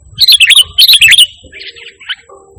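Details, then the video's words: Sooty-headed bulbul in full vigorous song with no borrowed phrases, a lure and master recording for pet-bird training: two quick liquid warbled phrases, then a softer trailing chirp. "Suara Burung Kutilang Gacor Tanpa Isian"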